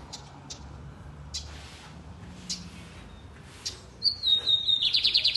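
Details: Lined seedeater singing loudly: after a few soft clicks and knocks, a clear thin whistle opens into a rapid run of buzzy pulsed notes at the end.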